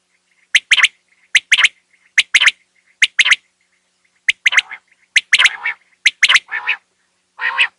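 Common quail giving sharp, liquid three-note phrases, 'wet-my-lips', repeated about once a second, followed by harsher, lower-pitched notes.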